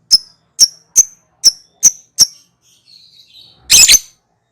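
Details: Lovebird giving ngekek calls used to lure birds: six sharp, high chirps about half a second apart, then a faint pause and a loud harsh double screech at the end.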